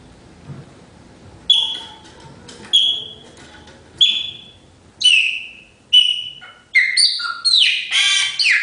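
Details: Blackbird song of clear whistled notes falling in pitch, repeated about once a second, building to denser overlapping phrases at the end over a low background hum.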